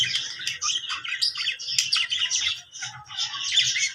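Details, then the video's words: Budgerigar making happy sounds: continuous bright warbling chatter of quick chirps, squeaks and trills, with a low rumble underneath. "cute budgie making happy sounds"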